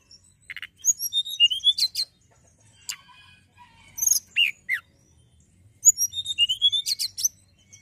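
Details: Hill prinia in full, prolific song: quick bursts of high, sharp chirps and whistled slurs, several notes per second, broken by pauses of about a second.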